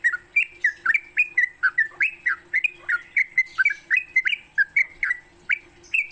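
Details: Sooty-headed bulbul singing in the morning, recorded for songbird training: clear whistled notes, about three a second, each slurred up or down, with a faint steady hiss.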